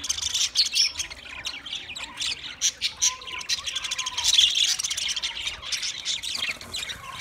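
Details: Budgerigar chorus from twenty pairs: busy, overlapping high chirps and squawky chatter rising and falling in loose bursts.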